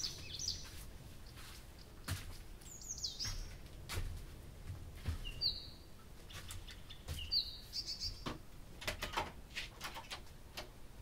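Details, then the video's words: Nightingale singing through the night at Abramtsevo in early June, recorded from 23:00 on 6 June 2021; clear whistled and slurred high phrases spaced by pauses, with clicks and a low rumbling background. "Соловей поёт всю ночь"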